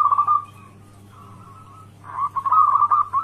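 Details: Local wild zebra dove lure for making other zebra doves answer: a short trilled coo, a faint drawn-out note, then a louder quavering rolling phrase, with a constant low hum beneath.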